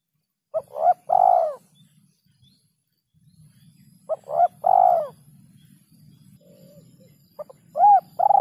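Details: Spotted dove giving a rare kuk 2 or kuk 3 lure call. Short two-part coo phrases ending in a long full note repeat about every three and a half seconds over a faint low hum.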